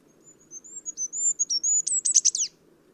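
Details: Single song phrase of a free Goldcrest: extremely high, thin rhythmic notes that grow louder, ending in a fast jumbled twittering flourish, with faint low background hum.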